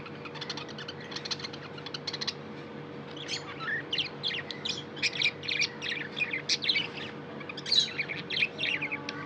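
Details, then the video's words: Tame budgerigar chirping: soft scratchy twittering at first, then louder rapid chirps and warbles for the last six seconds, dense and irregular, with a low background hum. "Budgie chirping sound & love"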